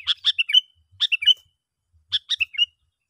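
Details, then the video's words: Sooty-headed bulbul calling to attract others of its kind: crisp three- to four-note phrases, sharp clicks running into a short liquid whistle, repeated about once a second. "panggilan yg sangat Ampuh ‼️ bikin bl berdatangan"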